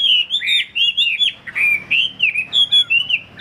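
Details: Short, loud burst of Chinese hwamei song from a bird sold by a dealer: sweet, looping whistled notes in quick succession, each slurred up and down with tiny gaps between.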